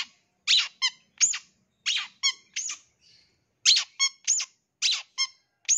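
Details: Long-tailed shrike lure recording, full of imitated sounds, for young wild-caught forest birds: grating squeaks and nasal buzzy notes in quick alternating pairs, with one brief gap midway.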